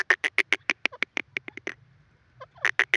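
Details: Grey francolin, known locally as teetar, calling: a fast run of loud, sharp, evenly spaced clipped notes, about seven a second, a brief pause with a few softer notes, then the loud series resumes.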